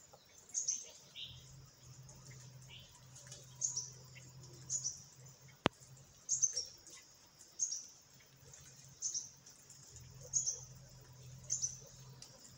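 Parakeets give short, very high chirps, repeated about every second over a steady low hum.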